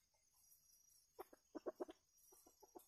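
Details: Wild red junglefowl drawn in as a flock by a decoy rooster to feed together: a quick series of low, short clucks, some grouped in rapid bursts, over steady outdoor hiss.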